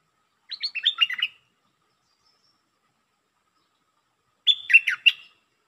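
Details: Red-whiskered bulbul in lak ber song style giving two rapid warbled phrases of bright chirping notes with quick downward slurs, separated by about three seconds of quiet.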